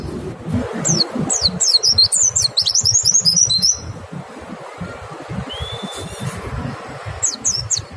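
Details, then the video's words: White-eye lure song meant to coax other white-eyes into singing. A burst of rapid, very high, thin slurred whistles fades after a few seconds into a few scattered notes, before a short final flurry. "Pancingan PLECI BIKIN IKUT NEMBAK, suara jernih bikin respon PLECI LAIN BUKA PARUH"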